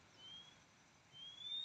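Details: A wild male Oriental magpie-robin gives two thin, high whistles, a short one then a longer slightly rising note, over faint outdoor hiss; it was heard near an oil palm garden where its parent pair seemed to have young.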